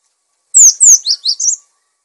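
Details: Cinereous tit (gelatik batu) gacor phrase for masteran: two long falling high whistles followed by three shorter wavering lower notes, one crisp burst.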